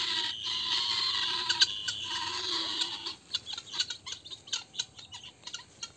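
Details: Helmeted guineafowl giving the alarm as a snake, a viper, approaches. The clip opens with a harsh, continuous rasping noise, then breaks into rapid, uneven clicking chatter of about four notes a second.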